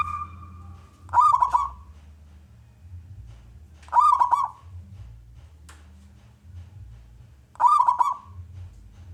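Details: Local wild zebra dove with a big voice, meant to lure other doves to sing: three short trilled cooing phrases, each with a crackling attack, spaced about three seconds apart over a low hum.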